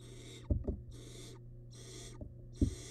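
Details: Barn owl nestling, wild, inside a nest box while eating big rabbit remains; three loud breathy hisses, separated by thumps and tearing knocks as the chick handles its food.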